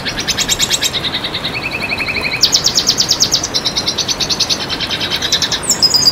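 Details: Red siskin song used as a training and lure recording for cage birds: a rapid, high twittering run of buzzy trills and clipped chirps, shifting pitch between phrases with hardly a pause.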